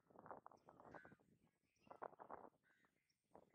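Grey-headed Swamphen giving harsh, nasal clucks in uneven bursts, some close together and others after short pauses, mid-pitched and gravelly. Faint rustling lies underneath.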